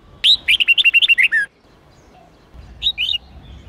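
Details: Training song of a red-whiskered bulbul, 8-9-10 note style. A loud fast run of about ten chirpy whistled notes drops in pitch at the end. After a pause, a softer two-note warble follows over a low hum.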